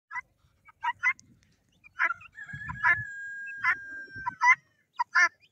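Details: Domestic guinea fowl kept alongside a rooster: short harsh, buzzy bursts repeated in irregular clusters over about five seconds, while a long, steady, drawn-out tone runs through the middle, with low rustling and thumps beneath.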